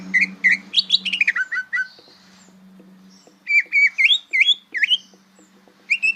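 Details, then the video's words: Young-style learning song of a greater green leafbird, bongkaran type: tumbling whistled phrases that step downward, a pause, then looping slurred whistles repeated several times over a faint low hum. "Bongkaran suara burung cucak ijo belajar berbunyi"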